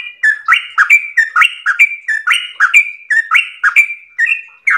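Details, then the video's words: Long, fluent 'ropel' song of a yellow-vented bulbul (trucukan): around a dozen chirpy, liquid whistles in a rolling rhythm, alternating higher level notes with lower dipping slurs. "ROPEL MERDU trucukan gacor ropel panjang istimewa"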